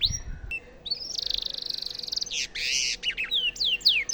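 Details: Canary singing as a training model for White-rumped shamas. A short whistle leads into a steady buzzing trill, then harsh broadband notes and a series of clear falling slurs. Low rumble sounds briefly at the start.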